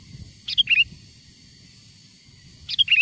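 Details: Sooty-headed bulbul song of wild origin, used for luring wild bulbuls nearer: two crisp, bubbly phrases of a few rapid notes, about two seconds apart, with a faint low-pitched background noise.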